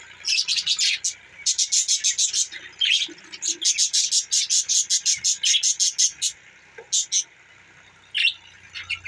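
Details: Budgerigars in a rapid series of short, high, buzzy chirps, about one per half second in runs, then quieter with an odd squeak.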